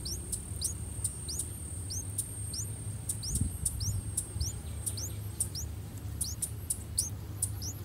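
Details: Begging from three-day-old streak-eared bulbul chicks being fed by a parent pair at their nest in a water jasmine tree in front of a house: steady series of thin, high upswept peeps roughly every half second, faint hum beneath.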